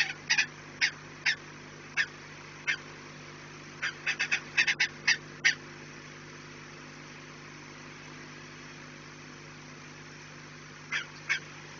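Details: Peregrine falcons at the nest on 4 March 2019, 16:28: scattered sharp, rasping cries, some single and some in rapid clusters, then a long quiet stretch before two final calls, with a constant background hum.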